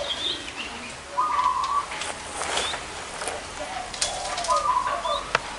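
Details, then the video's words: Wild zebra doves with big and small voices gathered at one site. Two trilled, purring coo phrases near the same pitch, each about half a second long, with lower murmuring notes and faint rustling in the background. "PERKUTUT SUWARA BESAR DAN KECIL NGUMPUL DI LOKASI INI"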